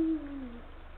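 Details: Male Eurasian eagle-owl calling to his mate at the nest, late afternoon, 17 February 2023; a deep hoot already under way, falling and fading over half a second, over a low hum.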